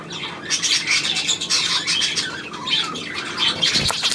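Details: Budgerigar twittering from 9 February 2024: varied squawks and sliding whistled notes mixed with harsh chatter, plus a brief low knock near the end.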